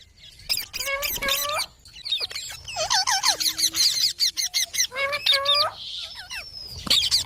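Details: Parrot squawking and chattering in repeated harsh, harmonic bursts, with a long low whine in the middle and fast squeaky notes.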